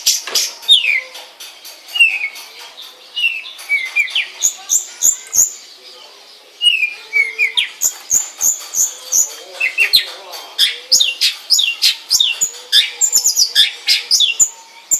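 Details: Long-tailed shrike kept at home singing a varied, chattering medley of slurred whistles, sharp high notes and mimicked phrases, with a short lull midway.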